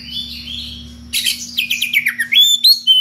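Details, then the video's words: Magpie-robin challenging a rival: a soft wavering whistle gives way to a fast, scratchy run of chattering notes that tumble downward, then clear rising whistles, with a faint hum underneath. "SUARA KACER NGEPLONG MEMANGGIL LAWAN DENGAN VARIASI SUARA ANEH"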